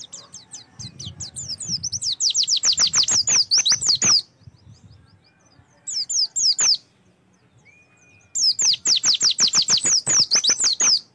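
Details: High, rapid Oriental white-eye song meant to coax caged white-eyes into singing: long bursts of dense, downward-slurred whistled notes, broken by a short single phrase and a near-silent gap before a second burst.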